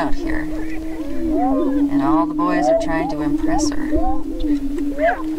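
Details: Spring lek of Greater prairie-chickens near Crookston, northwest Minnesota, 27 April 2013, mating dance ritual: continuous low moaning boom with a deeper tone underneath midway, plus scattered rising whoops and sharp cackling notes from multiple males.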